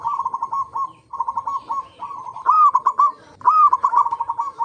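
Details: Local zebra dove lure song to set other zebra doves singing: several overlapping phrases of fast, staccato cooing notes, louder runs with a slightly higher first note alternating with softer ones.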